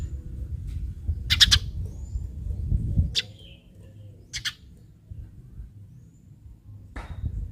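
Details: Eurasian tree sparrow lure calls meant to set other sparrows calling: three brief bursts of harsh chirps separated by pauses of over a second, above a loud low rumble.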